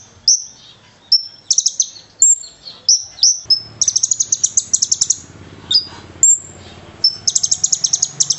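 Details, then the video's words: Konin bird performing an energetic fighter song packed with cililin imitations, meant for training other birds: repeated shrill upward whistles alternating with quick rattling series of high chips, rhythm steady and insistent, over a faint low hum. "Burung konin gacor, ngobra, fighter full isian cililin"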